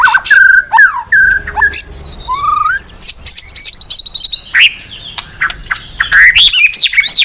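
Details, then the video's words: Song of a white-rumped shama: a rich varied sequence of clear whistles, a long high sustained whistle with slow downward slide, and quick looping slurred notes toward the end. "MURAI MERDU"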